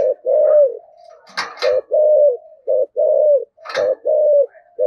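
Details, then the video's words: Decoy spotted dove in the 'thổ' voice giving urging coos to draw responses from wild doves: low rounded coos repeated in a broken rhythm, interrupted twice by sharp rustling clicks. "cu gáy giọng thổ thúc gù cực đỉnh, tiếng chim cu gáy kích bổi hiệu quả"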